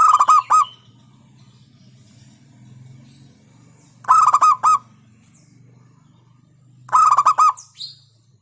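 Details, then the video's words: Local zebra dove song, a staccato beat meant to rile rival birds: short bursts of three or four quick, resonant coos, about every three seconds, with a low steady hum in between. "Hentakan Burung Perkutut LOKAL Suaranya Berkelas bikin Emosi Lawan"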